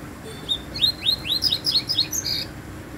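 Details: An unusual double-collared seedeater sings a quick phrase of rising, swooping whistled notes that speed up into sharp high chirps and end in a short buzzy flourish.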